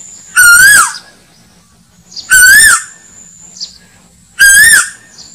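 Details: Asian koel call used as a hunting lure for slingshot shooters: loud, harsh-edged whistled notes that rise then fall slightly, repeated about every two seconds, three times, with faint background hum between them.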